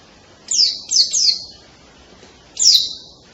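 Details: White-eye giving loud, canary-like song fragments: four sharp, high, downward-sweeping notes in two short bursts separated by a pause.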